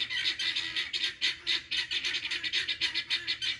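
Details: Close pearl guineafowl calling loudly in excitement, grating rhythmic squawks at about three to four per second, urgent and unbroken.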